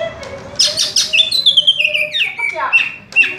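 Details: Greater green leafbird (cucak ijo) singing in the 'raja tembak' style, fast and tight while perched in one spot: slurred whistled notes gliding downward from high to mid pitch, with a short burst of sharp chips near the end.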